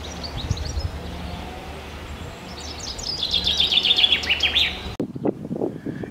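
A common chaffinch sings a bright, descending run of notes that speeds up toward the end.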